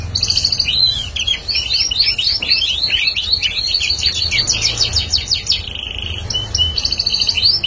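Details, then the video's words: Bar-winged prinia singing energetically: rapid, dense runs of high, sharp chirps and trills packed together, with brief pauses between bursts. "prenjak paud gacor"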